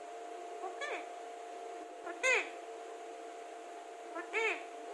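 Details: Talking Alexandrine parakeet uttering three brief speech-like phrases, each a short arched harmonic sweep, spaced about one and a half seconds apart, over a low continuous hum.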